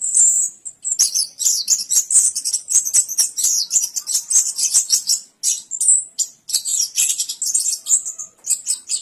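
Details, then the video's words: Orange-headed thrush from Indonesia in a long, continuous song of rapid, high-pitched chattering and twittering phrases, dense and almost unbroken, with brief thin whistles mixed in. "Suara Burung Anis Kembang Durasian"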